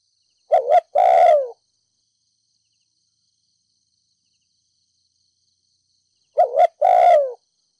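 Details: 'Thúc gù' coos from a Ninh Thuận spotted dove decoy, 'đồng pha thổ' voice, used to provoke decoy doves. Two phrases about six seconds apart, each a clipped double note leading into a drawn-out falling coo. No other sounds.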